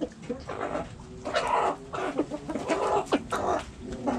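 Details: Backyard hens clucking: a busy run of short, broken clucks and squawks rising and falling in quick bursts, several birds overlapping, with faint background noise.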